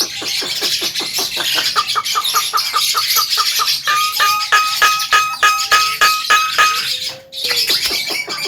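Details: Javan myna singing vigorously, a recording meant as a master for training other songbirds: a run of rapid clicking notes, about three per second, giving way to steady whistled tones and a low glide, over constant high-pitched hiss.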